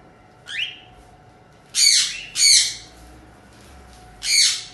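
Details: Colony of cockatiels: a soft rising whistled note, then three loud, harsh, rasping screeches, two close together and one after a pause, over a steady low hum.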